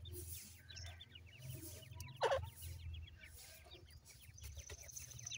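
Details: Grey francolin chicks feeding and playing give dense high peeping, with one loud abrupt cluck near the middle, over a continuous low hum.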